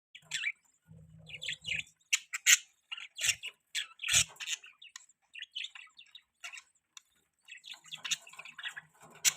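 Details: Budgies chirping in short bursts of bright, scratchy, high-pitched chatter and squeaks, broken by brief pauses, with a few soft low thumps between calls.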